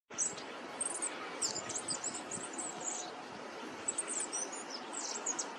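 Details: Goldcrest, a small winter visitor in Korea, recorded in early March 2024: a run of very high, thin, rapid twittering notes in short bursts, with a faint steady background hiss.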